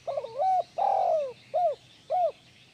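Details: Spotted dove in full voice, used as a master recording to stir lazy doves into calling: one phrase of a wavering opening coo, a long drawn falling coo, then two short arched coos, over quiet background.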